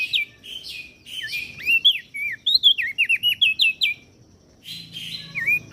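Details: Caged common iora and bar-winged prinia, masteran song for training cage birds: a lively run of fast, sharply rising and falling whistled notes, roughly one per second, with a short pause and then a brief buzzy burst at the end.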